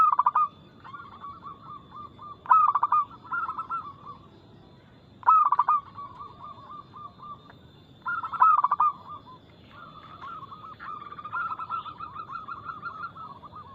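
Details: Several loud phrases from a singing local zebra dove, a lure to set captive doves singing. Each phrase is a quick run of pulsed, rolling coos trailing off into softer notes. Background doves keep up a continuous low cooing.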